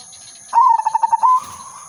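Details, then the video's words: Zebra dove, silver udanmas variety, singing loudly as a trapping lure. A short rolling burst of rapid, evenly pulsed coos closes with a drawn-out, slightly higher note, then fades into quiet background. "burung perkutut/merbok silver udanmas gacor manggung irama merdu pancingan dan pikat"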